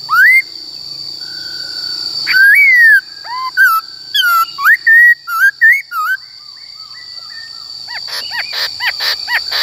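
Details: White-cheeked laughingthrush in forest-style song, played to train the voices of wild-caught and young caged birds: clear rising whistles, then a run of short warbled phrases at varied pitch, ending in fainter rapid notes, with a constant high tone.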